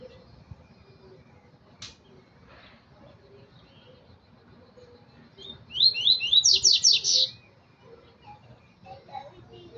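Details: Double-collared seedeater singing a quick, high phrase of slurred, rapidly repeated notes, loudest near the end, over low background rumble and faint chatter.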